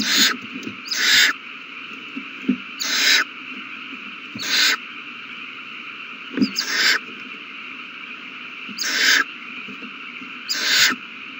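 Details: Nestling owls at feeding time, March 27, 2020, producing loud, breathy, hoarse hissing screeches in pairs and singles, spaced irregularly one to three seconds apart, with occasional soft thumps and a steady hum behind.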